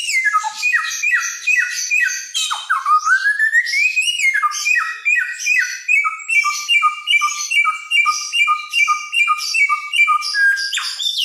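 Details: Helmeted friarbird, a Nusa Tenggara endemic famous for its lantang voice and imitations, singing energetically: downslurred paired whistles repeated about twice a second, interrupted midway by a long rising glide, then resuming the steady pattern.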